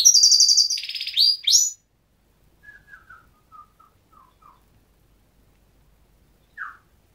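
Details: Goldfinch giving a dense buzzy rattle and high twitter at the start, then a run of soft, falling chip notes spaced evenly, and after a long silence one louder slurred note.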